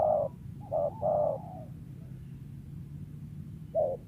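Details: A wild spotted dove, prized as a lure bird, coos with a voice that sometimes stutters into a quick 'kuk' or two. A short coo is followed by a longer two-part coo, a pause, then another short coo, over a quiet low hum.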